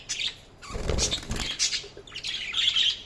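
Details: Budgie chirps in short high squeaky bursts, broken in the middle by a loud low rustling thump like wing flutter, then resuming with sharp, trilled chatter.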